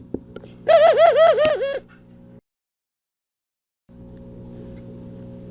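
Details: Pigeon cooing: one throaty, wavering coo lasting about a second, pulsing in rapid rolls, followed by silence and a low steady hum.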